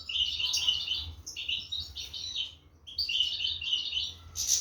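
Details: Young European goldfinches fed by their parents in 2023; three clear bursts of rapid, squeaky twittering separated by short pauses, ending in a sharp rustle.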